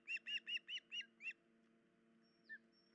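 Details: Injured osprey parent at the nest before dawn, 10 July 2019, leg hurt and unable to feed chicks: six loud whistled chirps in quick succession, then near silence with a faint thin whistle and one soft chirp.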